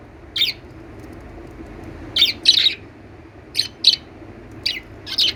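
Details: Lovebird chirps, bright and high, coming as isolated notes and close doublets at uneven intervals, with a faint steady background hum between calls.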